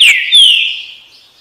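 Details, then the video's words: Green-winged saltator giving a brief, loud whistled phrase: a falling note followed by a long, drawn-out slurred whistle that gradually fades. "canto trinca ferro"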